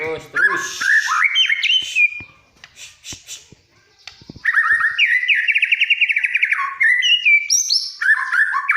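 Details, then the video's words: White-rumped shama in full, energetic song said to prompt other birds to sing: rich varied phrases of whistles and rapid trills, mostly mid to high pitched, with a brief quieter pause midway before a long rolling trilled passage. "Suara burung murai ini ampuh membuat yg lain bunyi. BURUNG MURAI BATU GACOR"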